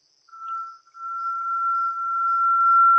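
Brazilian Tinamou: a brief pure whistle, then one long, steady, mid-pitched whistle held over two seconds and swelling gradually louder; nothing else heard.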